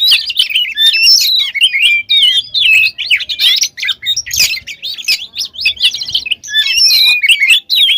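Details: Oriental magpie-robin in full, constant song packed with varied fill phrases, used as a lure to rouse other magpie-robins; dense, rapid whistles, trills and sharp chirps tumbling almost without pause, high and bright throughout.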